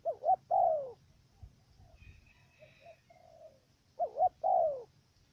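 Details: Decoy dove in Cà Mau, Vietnam, used to lure wild doves into a trap; two clipped notes and a long falling coo open and close the stretch, with softer distant coos between.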